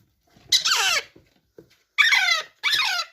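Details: Rose-ringed parakeet kept as a pet, giving three loud, harsh, rasping squawks with strong harmonics that slide downward, each about half a second long, separated by short pauses in an otherwise quiet room.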